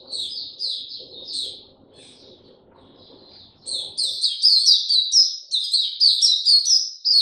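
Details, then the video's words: Caged Oriental white-eye starting its song slow and easy, recorded 2 May 2022: rapid high chirpy twittering, a gap of softer notes, then a denser, louder run of bright, quickly repeated slurred notes. Faint low rumbling background. "Mata Puteh Hercules buka sing go slow n easy"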